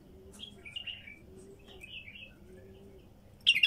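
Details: Faint, sweet warbled notes from a wild female bulbul, a few short slurred phrases in the first two seconds, ending in a sudden loud knock.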